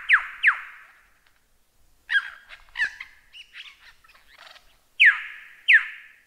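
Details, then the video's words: Lyrebird singing in a masteran tutor recording: loud, steep descending whistles open and close the passage, with a jumble of short chattering and buzzy notes between them. "Masteran Burung Lyrebird"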